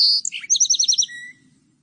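Song Sparrow song: a few bright, high introductory notes, then a quick trill of about seven repeated notes, ending on a lower buzzy note.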